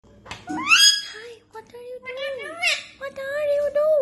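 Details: A newly bought talking yellow ringneck (Rose-ringed parakeet), one of a pair, says phrases like "hi" and "what are you doing" in a high, nasal, childlike voice, broken by a few shrill, rising squawks.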